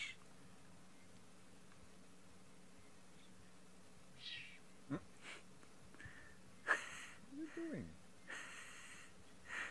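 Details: A baby Spotted Eagle-Owl fledgling practicing flying gives short, breathy "shh" hisses a second or two apart, possibly begging for food from its parents, with a person talking quietly between them; Djuma private game reserve, South Africa, late 2019.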